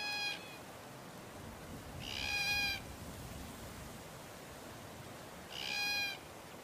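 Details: Glossy black cockatoo from a family group in the Pilliga scrub, central NSW, Australia, in late spring, gives three drawn-out, plaintive, slightly nasal wailing calls spaced a few seconds apart over soft hiss.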